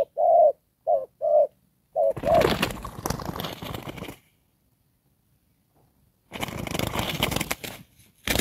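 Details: Spotted dove kept as a decoy for trapping coos four quick low notes in Đồng Pha style, then loud rustling and handling noise takes over, followed by silence and more rustling.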